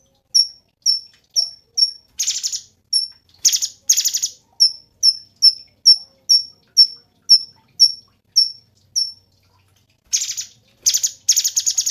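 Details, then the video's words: Cungkok song recorded as a tutor track for songbirds: sharp, high, downslurred chirps repeated about twice per second, broken by loud, buzzy, harsh rattling bursts near the start, middle and end. "SUARA BURUNG CUNGKOK SUPER GACOR"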